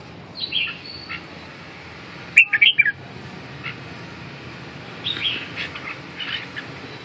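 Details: A red-whiskered bulbul gives a loud cluster of four or five quick, sharp whistled notes in the middle, with fainter distant phrases before and after over a continuous low background rumble.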